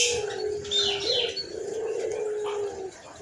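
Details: White collared dove, chatty and hoarse-voiced, holds a long low coo that wavers and drops slightly, with brief higher chirps from other birds early on.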